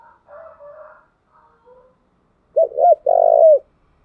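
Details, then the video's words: Spotted dove decoy cooing to stimulate freshly caught birds. Faint, scratchy murmurs come first. After them, one loud phrase of two short coos is followed by a long, tremulous, rolling note. "tiếng cu gáy thúc bổi căng lửa và gáy goi bao sung, Tiếng cu gáy mồi chuẩn"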